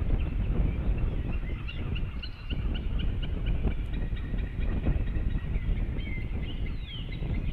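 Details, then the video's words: White-tailed eagle pair, male and female, calling at the nest at 18:28 after coming home, before leaving again; a regular series of short yelping notes repeats several times per second over heavy low wind rumble. "18h28m juras erglis Male and Female came home call and left the nest"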